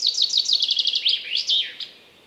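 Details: Common chaffinch singing in a forest: a quick run of bright repeated notes that slow and drop in pitch, ending in a short downward flourish, with no other sounds.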